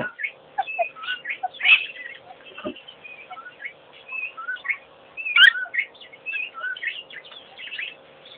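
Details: African pied wagtail at Pete's pond, recorded by a wildlife camera; a lively run of varied chirps, twitters and short whistled notes, one sharp click midway, over a faint steady low tone.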